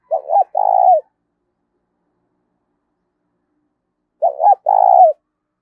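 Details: Decoy spotted dove, kept to draw in wild doves, repeats its coo twice about four seconds apart, each a short double note and a long trembling coo; otherwise silent.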